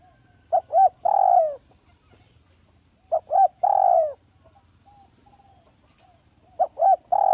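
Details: Smooth, clear cooing used as a lure, from an active village spotted dove. Three phrases about three seconds apart, each with two short hoots followed by a drawn-out descending coo.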